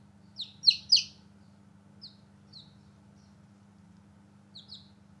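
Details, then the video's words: Newborn chicks outdoors at play give sharp, falling peeps: three loud ones close together, then scattered softer single chirps and a final pair, with a faint low hum behind. "Newborn Baby Chicks Chirping Sound"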